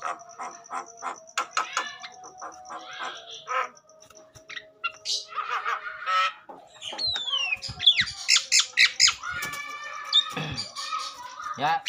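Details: Agitated Javan myna song meant to stimulate other mynas into singing: irregular harsh clicks and chatters with a thin steady whistle behind, building into varied whistled slurs and raspy bursts.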